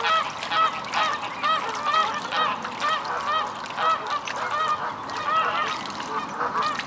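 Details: Mute swans at Reddish Vale Country Park: the parents chase away their cygnets, which hatched in June 2011 (three of four survived), as they get ready to nest. Short nasal, harmonic calls come in an uneven series, about two per second, over steady background noise.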